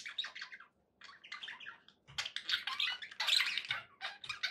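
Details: Happy pet budgerigars chattering: rapid bursts of raspy, warbled notes and chirps, broken by a brief pause, with faint low thumps beneath.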